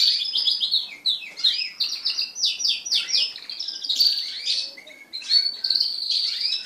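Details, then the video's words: Crested canaries singing together while mating, kept as pet birds: continuous warbling of rapid slurred chirps and rolling trills with sustained high whistled notes, nearly without pause. "تزاوج طائر الكنارى المقمبر مع بعضهم البعض"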